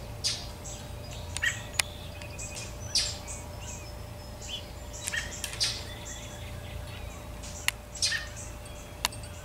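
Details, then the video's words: An American robin gives sharp, repeated alarm notes at irregular intervals, mixed with harsh alarm calls from an unseen northern mockingbird, over a steady low hum. "American Robin and Mocking birds Alarm Sounds"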